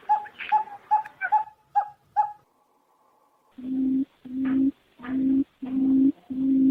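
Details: Barred buttonquail, male alternating with female, played as a decoy call: a quick run of short hooting notes with a brief upward trill, then after a pause five low, deep booming notes, each about half a second long.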